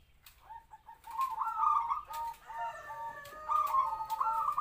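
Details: Local captive-bred zebra dove kept as a decoy, about three to four years old, medium-pitched voice giving its kwor kwor cooing to lure wild doves; after a short quiet start, rolling, quavering coos run in linked phrases with faint clicks behind.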